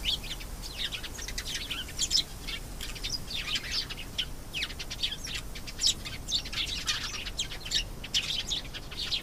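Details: Canary song of dense, rapid chirps and twittering notes that run almost without pause, with short high accents scattered through and a soft low background rumble.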